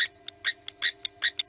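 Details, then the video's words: Blacksmith lapwing, in Africa, giving its typical call: sharp, metallic 'tink' notes, about five per second, like a hammer striking an anvil, over a faint steady hum. "the sound that you're hearing is the typical blacksmith lapwing call."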